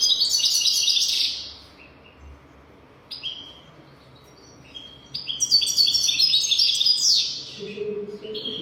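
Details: Singing goldfinch intended for training young birds: an opening burst of dense twitter, a quiet gap with scattered short notes, then a long rich run of tumbling chirps and buzzes; a faint low hum near the end.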